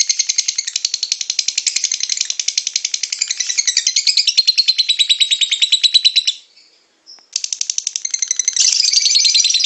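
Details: Lovebird song for drawing out other lovebirds' singing: long rapid, scratchy chattering, a gap of about a second, then the dense rattling trill picks up again, louder toward the end.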